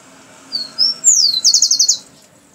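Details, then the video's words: Rufous-collared sparrow delivering its phrase: two short high whistles rising slightly, one long falling note, and a steady rapid trill of seven or eight notes before silence. "Chingolo o tico tico cantor"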